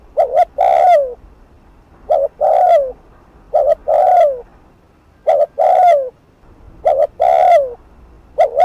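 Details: Spotted dove used for decoy trapping, cooing in the fast 'thúc gù' style to draw an angry response. Steady run of phrases, a short doubled hoot then a longer downward-bending coo.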